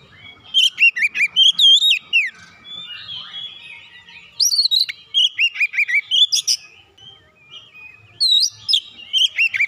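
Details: Agitated magpie-robin (kacer), provoked into singing, pours out three rapid bursts of sharp chirps and swooping whistles, many notes repeated in quick succession, with quieter pauses between bursts.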